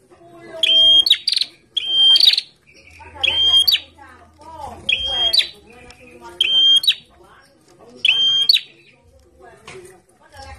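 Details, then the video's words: Kept bar-winged prinia sunbathing and singing steadily: clear high whistled notes, each closing with a quick falling sweep, repeated about every 1.5 seconds across six phrases, with scattered softer chirps and a brief low hum. "PRENJAK GACOR DIUMBARAN"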